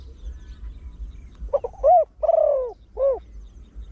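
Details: Deep-voiced trained Spotted Dove, sung in the rapid 'khan yon one kuk' style meant to lure wild birds: one phrase of clipped lead-in notes, a loud falling coo, a drawn-out rasping coo and a final short hoot.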